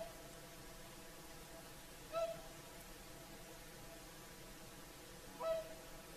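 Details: Evening sunset singing of whooper swans beside Lake Saimaa in Finland; two single bugling honks roughly three seconds apart, each short and tonal with a higher overtone, over low, even ambient noise.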